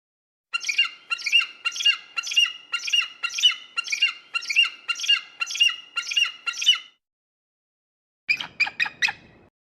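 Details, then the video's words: Eagle call used to frighten birds away: a steady series of about a dozen loud, harsh, ringing notes, roughly two per second, followed by a pause and a short burst of three rapid notes. "eagle sounds to scare birds"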